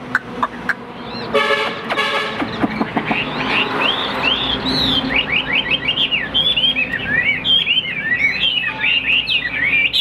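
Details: Big-bodied caged Chinese Hwamei, prized for its song, breaks into a fast tumbling series of varied high whistled notes after a short burst of a harsh buzzing tone.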